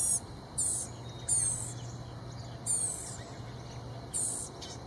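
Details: Begging Blue-gray Gnatcatcher chicks, eager at the approach of parents bringing insects: five high, sizzling, buzzy bursts spaced about a second apart, backed by a continuous low hum.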